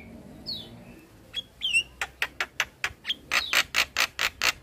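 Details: Young black-winged starlings are lured with this master song: a few soft descending whistles, then a steady run of loud harsh squawks about every quarter second, mixed with short whistled notes.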